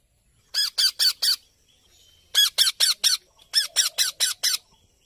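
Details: A parrot, tagged as an Alexandrine parrot, gives loud, harsh, grating squawks in three quick bursts of four or five notes each, with short silences between bursts.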